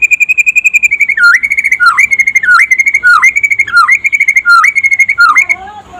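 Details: White-rumped shama, trotol type, singing by day as a lure for other shamas: a fast high trill gives way to about seven repeated phrases, each a held whistle sliding down into a low hooked note, evenly paced.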